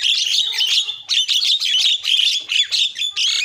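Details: Javan myna varied song played to provoke other mynas: loud unbroken harsh chatter mixed with squeaky whistles and grating notes, with short dips between bursts.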